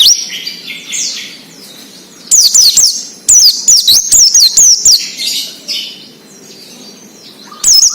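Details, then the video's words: Oriental white-eyes singing 'ngalas' wild-style song for training raw birds: soft overlapping chirps, then two loud rolling runs of high zigzag whistles, followed by quieter calls and a final short burst. "PLECI NGALAS UNTUK PANCINGAN BUNYI PLECI BAHAN / OMBYOKAN"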